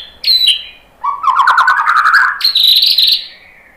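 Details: White-rumped shama lure song meant to provoke other birds into answering and singing: a short high whistled phrase, then a dense, loud burst of rapid chattering notes, ending in a sustained high whistle.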